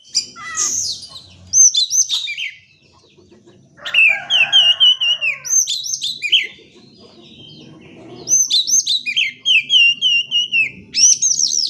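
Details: Oriental magpie-robin song used to stimulate birds that will not sing: bright varied phrases of high whistles and quick slurred notes in bursts, with a buzzy harsher passage mid-way and a pause before another fast run.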